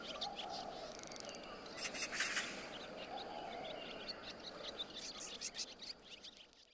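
Barn swallow twittering in quick, uneven bursts of high chirps and rattles over a steady wash of background noise.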